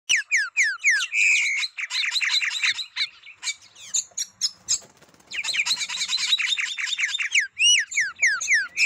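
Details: Green-winged saltator singing: loud, fast series of sharp down-slurred whistled notes and harsh chattering phrases, pausing briefly midway with scattered clicks, then resuming with the same rapid ringing notes.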